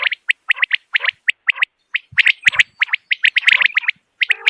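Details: Common quail in the morning, a clear natural recording meant for hunting: crisp, high chirped notes repeated in steady pairs and triplets, growing into denser overlapping chatter midway.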